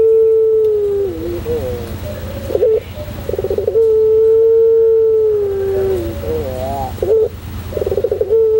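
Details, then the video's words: White puter pelung dove singing a training song in the drawn-out pelung style: long steady low coos that sag at the end, linked by wavering, stuttering trilled notes, with a steady low hum underneath. "masteran puter pelung putih manggung"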